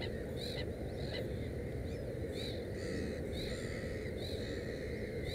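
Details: Black-headed gull (Chroicocephalus ridibundus) at a nest with three chicks, 15 May 2016: short, harsh, slightly nasal calls roughly once a second, half-buried under a steady low rumble of wind.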